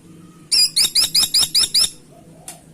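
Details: Caladi tikotok woodpecker recorded as a lure sound, calling vigorously. Seven piercing, squeaky notes repeated quickly and evenly in about one and a half seconds, followed by a brief click and faint low hum.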